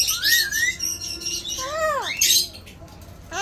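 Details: Pet Alexandrine parakeet talking like a human gives a long rising-and-falling voiced syllable and an arched, descending word-like note, then a loud rasping squawk, quieter afterward.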